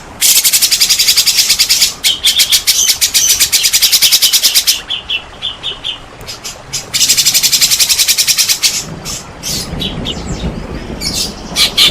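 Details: White-rumped shama (murai batu) song used as a lure to provoke silent shamas into singing: long bursts of rapid, buzzy rattling trills alternating with clear high whistled notes and softer scattered phrases, a faint low rumble near the end.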